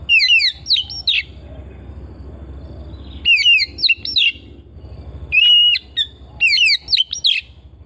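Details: Oriental magpie-robin kept at home sings varied, rapid phrases of whistles and slurred chirps, with three lively bursts and one long held whistle separated by brief pauses, over a faint low hum.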